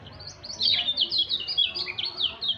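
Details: A kept white-eye in an agitated, fired-up mood sings a rapid, high twittering warble of short downslurred and zigzag notes, tumbling continuously with no pauses.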